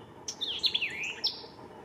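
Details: In May 2023 in McDonough, Georgia, a white-eyed vireo gives a quick, emphatic phrase of sharp chips and slurred, buzzy notes sweeping between high and mid pitch, lasting under two seconds.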